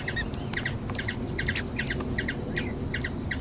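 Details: In Brazil, a hummingbird sings thin, piercing chips in quick groups of two or three, repeating roughly every half second, with a continuous low hum underneath.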